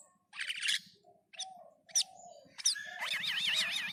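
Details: Cucak keling (black-and-white bulbul) singing: a buzzy burst, clear downslurred notes, then a long warbling, wavering trill that runs to the end, over a faint low hum.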